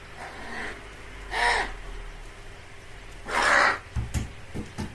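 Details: Crow giving a call likened to a baby's wail, 'ogyaa': two loud, harsh, drawn-out cries about two seconds apart, followed by a few short knocks and clicks.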